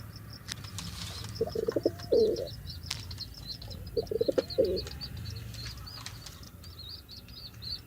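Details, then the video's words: Pigeon giving two short, throaty rolling coos a couple of seconds apart, among constant high chirping from small birds and occasional sharp flapping and clatter sounds. "صوت الحمامة " _ Sound of pigeon"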